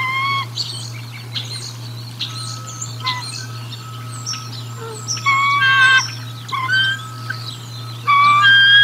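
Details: Bald eagle feeding at the Decorah North nest on 1 April 2022, captured by a nest camera: loud, clear, piping whistled notes with rich harmonics arrive in short bursts and a longer chattering series, over twittering songbirds and a low steady hum.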